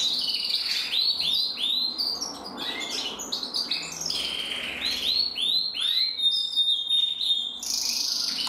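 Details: A pair of red-black canary cocks, intensive and frosted, in joint song. Quick runs of downward-curving notes repeat about three per second, then a long thin whistle and bright chattered trills follow.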